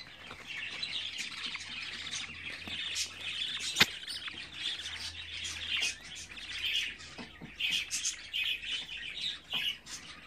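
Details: Budgerigar babies at 24 days produce a steady stream of high twittering and scratchy chirps, with one sharp click early on and a faint low hum beneath.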